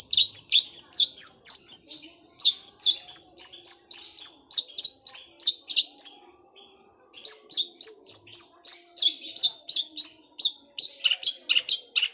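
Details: Long-tailed shrike's rapid rolling song, said to sound like a sewing machine, with sparrow-like elements. Long runs of fast, evenly pulsed high chirps, about four per second, with one brief pause midway.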